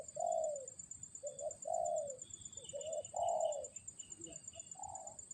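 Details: Indonesian tekukur, or spotted dove, said to have a fighter's temperament. It delivers a series of about six soft, rounded coos in uneven bursts over low background rumble, with a constant thin high-pitched whine behind it.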